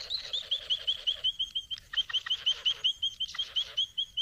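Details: Satin bowerbird courting a female at the bower: a rapid, regular string of thin, high, slurred chip notes, about four per second, with soft lower buzzing behind them early on.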